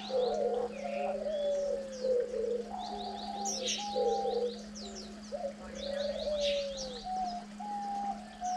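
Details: Diamond doves feeding chicks on day nine of rearing; mellow coos, some long and gently falling, mixed with rougher pulsed notes, while rapid high chirps of other birds run above and a low hum continues.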